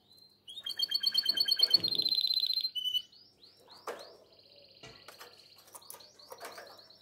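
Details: Male canary in breeding condition singing to call the female: loud, rapid, ringing trills of repeated high notes, a steady rolling phrase, then a pause and softer scattered chirps and short trills with faint clicks.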